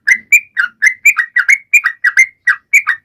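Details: Sooty-headed bulbul in energetic song, used to prompt silent birds to sing: quick, bright chirped notes, some rising and some falling, uttered about four per second in an unbroken chattering run with no other sounds.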